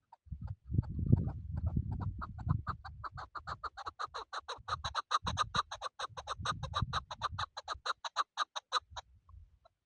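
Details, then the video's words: Hunting chukar partridge calling a long accelerating rattle of grating chuck notes that grows louder and more regular through the middle, then stops abruptly, with bursts of low thumping noise. "Shikari chakoor شکاری زرک"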